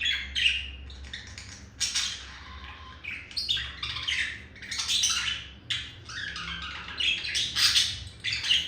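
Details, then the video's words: Pet male budgerigar performing a seduction warble for a female: scratchy, squeaky chatter broken into uneven bursts, with a brief low-pitched note near two and a half seconds. "Sound of seduction made by Olive the male budgie for Melody the female budgie"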